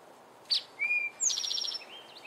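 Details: A male eastern towhee (Pipilo erythrophthalmus) sings its 'drink-your-tea': a short sharp note, a lower clear whistle, then a fast ringing trill of about seven notes.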